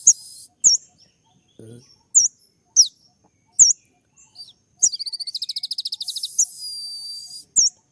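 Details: Kolibri ninja sunbird singing a sharp 'tembakan' song: isolated high chirps give way to a long run of fast, evenly pulsed trill notes that merges into a buzzy hissing rattle.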